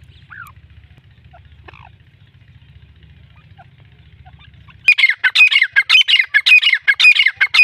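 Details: Black francolin of the Sindhi breed, kept as a calling bird, gives a grating, squawky call in the final three seconds, a dense series of harsh pulses repeated about twice a second; faint chirps and a low droning hum fill the quieter opening.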